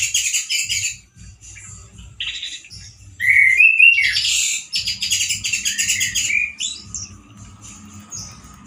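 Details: Male orange-headed thrush, a kept songbird singing loudly and harshly like a wild bird, with still limited variety: bursts of high, rapid scratchy chatter broken by short rising whistled slurs, over a faint low thumping in the background.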